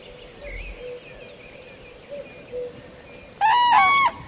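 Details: In Kupiškis district, Lithuania, soft scattered bird notes and faint chirps give way to a sudden loud, rattling, trumpet-like call from a common crane, lasting under a second, near the end.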